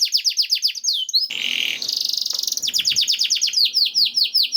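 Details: Canary singing as a training master for other canaries: quick descending trill, a harsh buzzy noisy stretch in the middle, then resumed rhythmic high swept syllables repeated at a steady pace.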